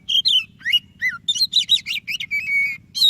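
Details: Oriental magpie-robin, white-breasted form, in vigorous song meant to encourage silent birds to sing: dense rippling whistles, swooping slurs and a sustained level note, continuous throughout, with a faint low hum underneath.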